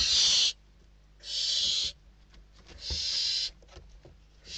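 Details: Inside a Spanish barn owl nest in December 2023, chicks squabble over a delivered bird, giving four harsh hissing screeches in quick succession, each well under a second, separated by light scratching and shuffling.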